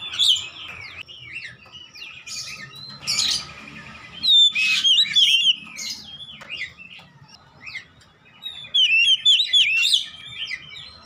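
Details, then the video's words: Kacer, the Oriental magpie-robin, in continuous singing used to coax a bird that has stopped singing: bright whistled slurs and sharp chattering notes in several loud bursts, brief pauses between, soft low background hum. "Kacer macet bunyi ikut gacor"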